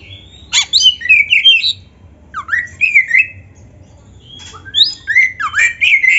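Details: Oriental magpie-robin (kacer, black-breasted form) in lively 'gacor' training song richly filled with mimicked phrases, playing sharp high whistled bursts, sliding chirps and rapid twittering runs in three clustered bouts separated by short pauses.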